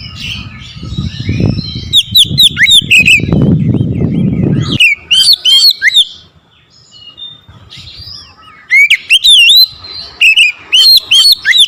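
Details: Provoked oriental magpie-robin challenging a rival with a powerful song that unloads its repertoire. Low rumbling noise runs under the first half, then clear bouts of looping whistled notes and crisp high ticks follow in repeated bursts.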